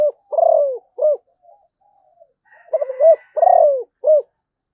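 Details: Two cooing song phrases from a Malaysian zebra dove. Each has a stuttered opening, a long descending coo and a crisp short end note, with faint soft coos in the gap. The setting is quiet.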